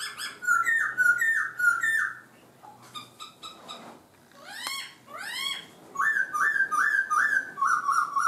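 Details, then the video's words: A laughingthrush sings well, changing its voice: loud, clear whistled phrases of quick slurred mid-pitched notes, then a few rising sweeps before the whistled runs return. "chim khướu hót hay đảo giọng"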